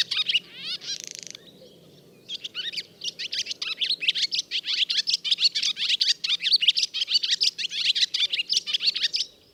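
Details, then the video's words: Barn Swallow male singing again after the first brood fledged, perched on wires or indoors where a nest is under construction; opens with a few rising notes and a buzzy rattle, then a short pause before a long, rapid twittering run of chirps. "Но после вылета первого выводка самец с новыми силами щебечет то на проводах,"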